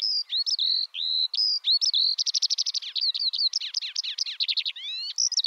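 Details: Eurasian skylark (Alauda arvensis) song beginning with clear, level whistled notes, then breaking into a fast run of repeated clicking trill notes and descending slurs before returning to whistles.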